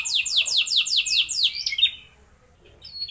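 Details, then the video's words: Canary singing, a lure recording for young birds to learn long rolls: eight quick downward-sweeping whistled notes in a rhythmic series, then a few short chirps and a quiet pause. "Pancingan Ampuh Buat Kenari Paud Agar Cepat Bunyi Ngeroll Panjang"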